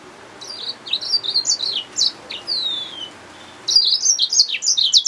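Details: Song of a yellow-fronted canary mule: high chirping phrases, a drawn-out descending whistle, a short pause, then a renewed, louder burst of fast twittering notes.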